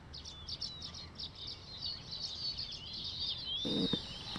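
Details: Zebra finches at a finch farm in Lahore, Pakistan: a chorus of short, high, nasal chirps and buzzy notes repeated rapidly, with several birds calling over one another and a brief thump near the end.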